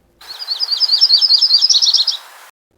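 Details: Myrtle form of Yellow-rumped Warbler giving its migration song: a rapid, high, sweet song of two distinct trills lasting about two seconds, changing pace partway through, over a faint steady hiss.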